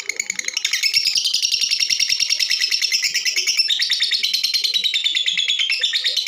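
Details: Female lovebird whose calls are used to get other birds singing: a continuous, rapid, high-pitched chattering of shrill squeaky notes, many per second, without pause.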